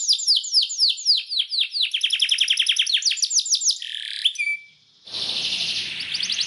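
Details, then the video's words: Belgian canary song played to stimulate canaries to sing: quick repeated downward-slurred whistles, a brief buzzy burst, a short pause, then a hissing, noisy passage. "CANTO PARA ESTIMULAR CANÁRIO BELGA A CANTAR - Canto de Canário Belga"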